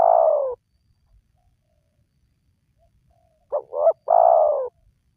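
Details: Spotted dove call used to lure lazy wild doves into calling: the drawn-out falling tail of one coo, a pause, then two short rising notes followed by a long, slightly descending coo. Clean recording, no other sounds.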